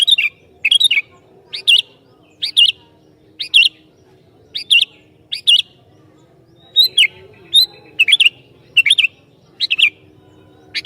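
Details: Sooty-headed bulbul singing persistently to provoke other bulbuls: a steady string of short, bubbly, warbled two- and three-note phrases, about a dozen in all, separated by brief pauses, over a faint low hum.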